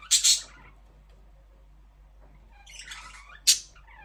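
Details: Budgerigar calling: two loud harsh squawk-chirps at the start, a silent gap, then a scratchy warbled chatter followed by one more sharp high squawk.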